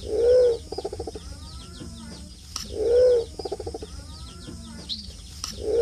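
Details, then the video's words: A wild pigeon lure call: a low, hollow coo, then a quick stuttering run of softer notes, repeating about every two and a half seconds. "suara pikat burung merpati hutan"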